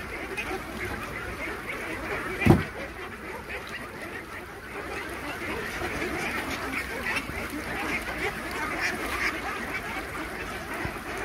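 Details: Feeding time on a duck farm with 3000 Khaki Campbell ducks brings steady massed quacking. A sudden loud knock breaks in early, then the chorus swells again.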